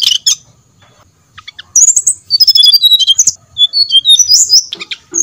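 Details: Brown-chested jungle flycatcher song played to stir other birds to sing: a brief opening chirp, then a long, busy string of high, sharp whistles that rise and fall irregularly, ending in scattered bright notes.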